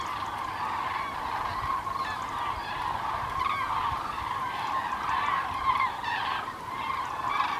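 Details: Common cranes passing south on migration, 9 November 2014, before winter; a large flock gives a continuous chorus of overlapping trumpeting and bugling calls, with some higher notes standing out.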